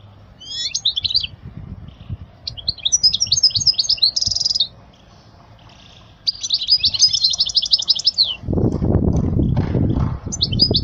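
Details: European goldfinch singing for young birds to learn from: long runs of fast, jingling trills with a buzzy note near the middle, a quiet pause, then more twittering over low rumbling noise.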